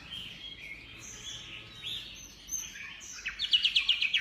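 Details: Energetic Chinese hwamei song: soft, drawn-out high whistles give way to a fast run of sharp, evenly repeated notes, about eight in quick succession, closing the phrase.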